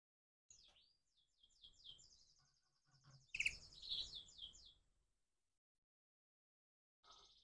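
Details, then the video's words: Morning song of a crossbred canary: a fast, high, rolling trill running for several seconds, broken by a louder harsh burst midway, then silence before another trill begins. "persilangan kenari pagi hari"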